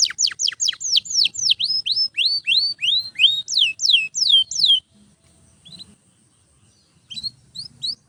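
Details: Domestic canary song used for training other canaries: a fast series of loud downward-swept whistled notes repeated about four per second for nearly five seconds, then quiet gaps with a few soft high chirps.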